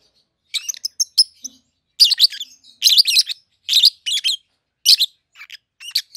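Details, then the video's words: Shrill, rasping chirps come in quick, uneven clusters from a pair of young captive peach-faced lovebirds, red-headed green opaline and red-faced dark green, 7-8 months old, that have been together since hatching. "Peach-Faced Lovebird's Sounds"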